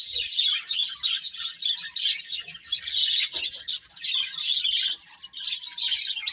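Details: A group of baby chicks, eating and playing, chirps in thick high clusters broken by short quiet gaps, including a near-silent pause just before the last second.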